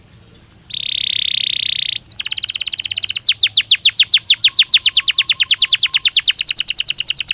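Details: Belgian canary singing naturally for daily training stimulus: a sustained high bright tone for over a second, then a rolling trill of quick descending notes that gradually slows and grows louder.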